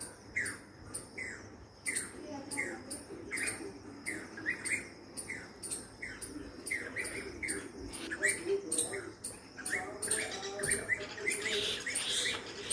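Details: Jacobin (pied crested) cuckoo giving quick runs of sharp, metallic piping notes, several per second and rising slightly, over a steady low background hum.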